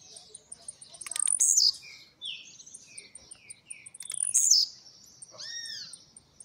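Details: Household blue-black grassquit leaving molt, trincadeira and speed song: two loud high buzzy descending bursts about three seconds apart, with soft falling whistles between and a faint regular ticking.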